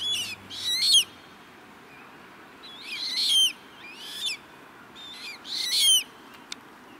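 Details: Juvenile common moorhens at Rosental pond, Leipzig, in August 2024, giving thin, high squeaky peeps in quick clusters of several notes, each burst about a second apart, over a quiet low background hum.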